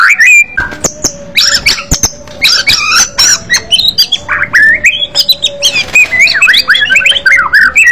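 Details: White-rumped shama singing in a loud, aggressive fighter style: scratchy, squawky phrases and jumbled whistles, interrupted by sharp clicks. It ends in a series of quick downslurred whistled notes.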